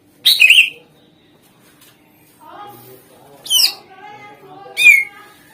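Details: Greater green leafbird used as a lure to make other birds respond: three loud notes spread over five seconds, a buzzy chattering phrase followed by two harsh descending squawks, with faint background sounds between.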